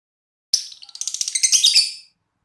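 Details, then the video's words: Champion competition bird, described as a regular contest winner, giving a short, high, bright burst of song: a few sharp chirps followed by a quick run of rapid twittering notes that swell and then stop. "Burung menantuku langganan juara"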